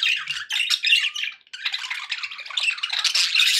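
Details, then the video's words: Household budgies making happy sounds: fast scratchy warbling, a brief gap near one and a half seconds, then denser squeaky twittering. "happy budgie sounds"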